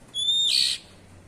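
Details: One ngeplong cier call from an Oriental magpie-robin (kacer): a steady thin whistle that swells into a loud, hoarse, hissing rasp for under half a second, then fades into quiet hum.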